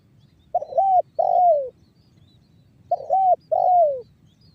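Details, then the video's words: Spotted dove lure call, banggo bocor variety, to make other doves start cooing: two identical phrases about two seconds apart, each a doubled coo followed by a long downward-sliding note. "SUARA TEKUKUR BANGGO BOCOR"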